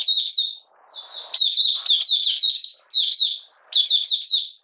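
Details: Buka sing from a caged Malaysian Oriental white-eye, out of form and lightly moulting, 31 July 2023: high, tumbling sequences of sharp chirps in three or four phrases, with faint low rustling between.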